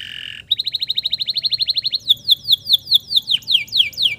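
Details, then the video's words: Male canary singing, used to stimulate stressed, silent canaries into song: a brief harsh buzz, then a fast even trill of repeated high notes, followed by slower loud downward-sweeping whistles about five per second. "SUARA PANCINGAN KENARI JANTAN GACOR"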